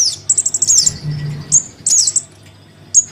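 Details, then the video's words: Crimson sunbird chick calling for its parent, a trapping lure: a brisk string of high ticks with a slurred squeak, then single sharp chips and a second short ticking burst, faint hum beneath. "Suara pikat [anakan sogon memanggil induknya]"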